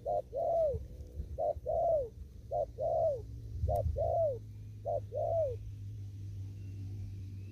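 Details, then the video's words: Field-dwelling spotted dove from Kon Tum, cooing 'thúc gù' style: six paired hollow coos, a clipped note then a longer bowed one, coming quickly before stopping, with a single sharp click and steady low hum. "Cu Gáy. Đồng thúc gù. ( chim còn ngoài rẫy ae xem vui )"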